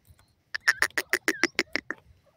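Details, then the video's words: Francolin, known locally as gharwal teetar or buda partridge, calling: a loud run of about nine harsh, evenly spaced notes delivered in roughly one and a half seconds, each with a strong ringing tone, then silence. "gharwal teetar ke awaz,buda partridge bird francolin ki voice"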